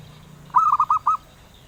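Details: Zebra dove, a bird sought by collectors, delivering one compact phrase of five soft coos in fast succession at an even mid pitch, over a low background hum.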